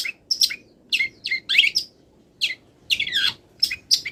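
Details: Wild long-tailed shrike, still moulting, singing a mimicry-filled song: short bursts of sharp, high chirps and downslurred whistles in clusters about every half second, with brief pauses between phrases.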